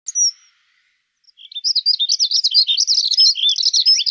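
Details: Dunnock singing: one thin high note, a pause of nearly a second, then a fast, continuous jingling warble of high squeaky notes tumbling up and down without a break, clean and free of background noise.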